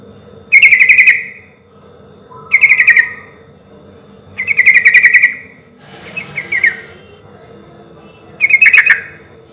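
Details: Sooty-headed bulbul in full song, loud and relaxed, meant to lure other bulbuls into replying: short bubbly chattering phrases repeated about every two seconds, one softer scratchier phrase among them, low hum behind.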